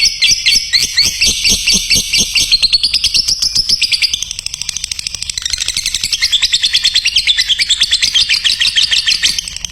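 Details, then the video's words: Lovebird singing in a recording meant to train other lovebirds: loud separate chirps at first, then merging into a very fast, shrill chattering trill that runs on without pause. "mencetak love bird juara||masteran burung"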